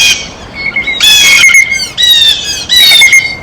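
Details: Blue jay at a feeder while eating, giving loud grating jeers in three or four bursts over a few seconds, a faint continuous whistle-like tone behind them.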